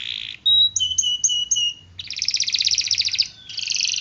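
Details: Canary song for training other canaries: a buzzy note, then clear whistled notes repeated about every quarter second, followed by a dense rattling trill and a second trill.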